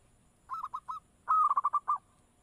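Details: Perkutut (zebra dove) giving three short soft coos, then a louder phrase: a held note breaking into a quick stutter of pulsed coos.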